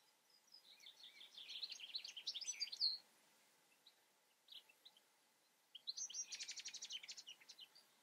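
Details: European goldfinch song: quick tinkling twitters building to a sharp high note, then a brief gap and a second burst ending in a rapid buzzy rattle; soft hiss underneath.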